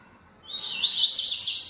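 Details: Yellow-bellied seedeater kept in captivity, singing a lot. After a brief silence, a sustained, loud, high warbling phrase of rapidly slurred notes begins and holds steady to the end.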